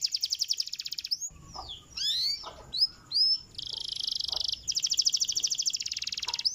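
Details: Canary song used to get other canaries singing: a high fast trill, then scattered varied slurred whistles over a low rumble, followed by long buzzy rolls and rapid repeated notes.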